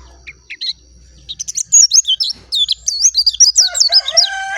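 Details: Dakun-type oriental white-eye in clear song: after a few scattered chirps, a fast run of high warbled, slurred notes builds up, ending over a lower buzzy harmonic call; faint low hum underneath.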